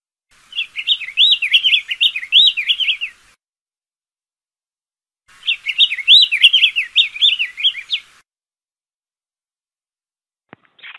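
A Diademed Tanager sings two phrases, each about three seconds long, of fast, warbled, up-and-down whistled notes, separated by a pause; a brief click follows.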